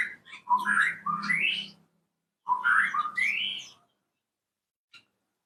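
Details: Orange-spotted bulbul in an aviary in the morning, begging for food because it has not yet been fed: two bursts of bright, rising whistled notes, each about 1.5 seconds, over a faint low hum.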